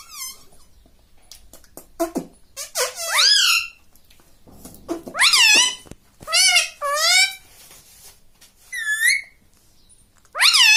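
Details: Indoor pet parrot mimicking human speech, mummy and mitthu mitthu; a steady run of squeaky, nasal voiced words with swooping pitch, grouped in short bursts with brief gaps, plus soft room clicks.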